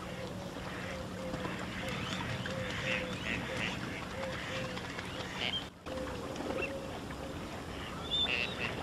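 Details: Western swamphen in a wetland in Spain or Portugal, captured with analog and digital recorders: low nasal notes repeat steadily through the first half, with sharp higher chirps from other birds, a brief dropout near six seconds, and a constant hum.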